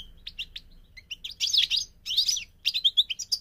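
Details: Migrating goldfinch singing: scattered high chirps open, then two dense bursts of rapid twittering and a final run of bright, tinkling notes.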